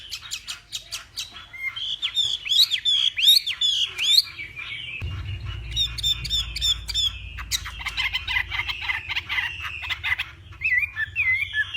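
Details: Fighting song of a northwest Vietnamese Hwamei, morning practice: dense, harsh chattering and squawky phrases mixed with whistles, with a low rumbling background appearing partway through.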